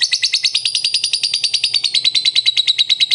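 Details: Lovebird giving its ngekek song: a fast, unbroken chattering trill of sharp, high notes, about three per second, that glides slightly lower toward the end, with a faint low hum underneath.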